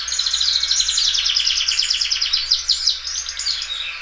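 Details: Belgian canary singing loudly and doubling its song: dense, fast buzzy trills held high and pitched, rolling continuously with rapid repeated notes, briefly softer near the end, no other sounds.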